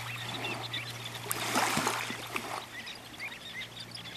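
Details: On 15 September 2011, a mixed flock of Sanderlings, Dunlin, White-rumped and Semipalmated Sandpipers feeds frantically on washed-up fish eggs on a sandy New Brunswick beach on Northumberland Strait. Thin, high, overlapping chirps sound over swelling, fading surf.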